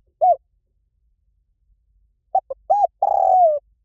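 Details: Spotted dove in หลิ่วตัน style, used as playback for a trained bird: one lone coo, a long quiet gap, then two short notes, a rounded coo and a long descending coo.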